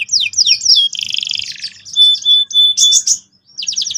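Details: Canary song, loud and close: fast downward-sweeping notes, a dense rolling trill, then clear sustained whistles broken by short pauses, ending in a burst of rapid high swept notes.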